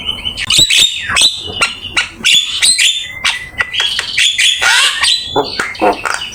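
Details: Black-winged myna singing in full, lively form, used as a master song for training other birds: loud harsh squawks and chattering bursts mixed with sliding whistled notes, dense and continuous, energetic and varied throughout.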